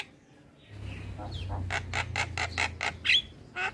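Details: Javan myna chattering song, played to draw responses from other starlings: after a low background hum, a run of harsh, broadband rasping notes repeated roughly every quarter second, ending with a brief sharp squeak.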